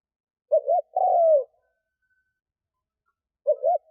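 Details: Lure spotted dove cooing for wild doves: one full phrase of a double hoot and a long sliding coo, then after a pause the start of the next double hoot.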